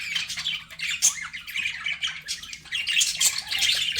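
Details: Pet budgerigars chattering in a steady stream of scratchy, squawky chirps and warbles, high-pitched and overlapping with no pauses, with a faint low hum beneath.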